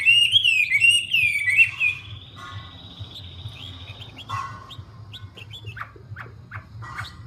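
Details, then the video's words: Wambi bird opening with a bright wavering whistled phrase and a drawn-out buzzy note, then falling quiet to faint scattered chips over a low hum. "Burung wambie"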